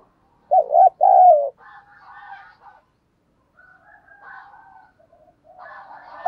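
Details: Spotted dove decoy cooing to attract wild birds, giọng thổ sấm voice: two clear mid-pitched coo notes, followed by rougher, broader calls from another bird through the rest of the recording.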